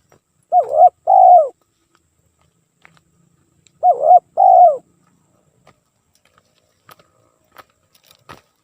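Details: Spotted dove cooing without pause, used as a lure: two identical coo phrases about three seconds apart, each a short looping note and a longer falling one, followed by faint clicks.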